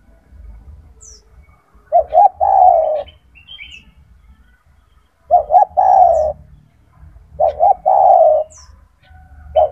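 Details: A spotted dove, known locally as tekukur, kept as a loud, frequent 'gacor' singer for mastering young doves, repeats its deep three-part coo three times at roughly three-second gaps, with faint high bird chirps between phrases.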